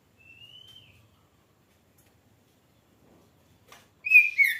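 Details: Oriental magpie-robin in full song: a thin, slightly rising whistled note fades into a long near-silence before a sudden loud, varied burst of clear whistles closes the recording.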